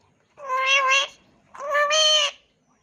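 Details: Pet talking parrot from Gujarat, India, mimicking human speech and saying "mummy": two drawn-out, nasal, voice-like utterances of about a second each, separated by a short pause.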